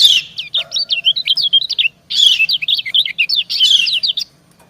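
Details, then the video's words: Female white-eye calling alluringly to a male as they answer each other. There are two long bursts of rapid, high, twittering chirps, each note quick and jerky, separated by a short pause. "Suara ciak kecial betina mendayu merayu jantan"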